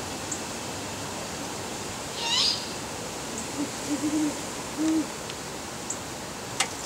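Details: Great horned owls calling back and forth at heavy twilight, November 22, 2010: one high, falling squeal, then a run of low, muffled hoots, three or four close together and a longer final hoot, over a steady hiss.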